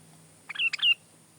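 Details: Sooty-headed bulbul song for tutoring and luring: a single brisk phrase of two bursts, each rising into a clear descending whistled slur, over a faint steady low hum.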